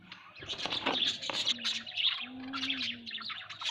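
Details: Pet budgerigars indoors chatter in rapid, bright, buzzy chirps, with bursts of high twittering and a low steady hum beneath.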